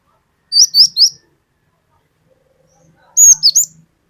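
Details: Cinereous tit used as a lure recording, in the long 'wucit wucit' style: two bursts of three sharp, high whistled notes each, the second burst slightly higher and more slurred, separated by silence.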